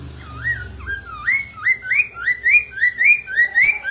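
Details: Loud song of a black-throated laughingthrush (poksay mandarin), played to coax caged birds into singing: a steady series of ringing whistles, each dipping then rising, repeated almost twice a second over faint low hum.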